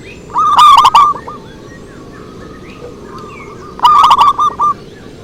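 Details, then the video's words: Lure song (pikat) of a zebra dove: two loud cooing phrases about three seconds apart, each a quick rolling burst trailing off into a few softer separated coos. "Suara Merdu PIKAT PERKUTUT"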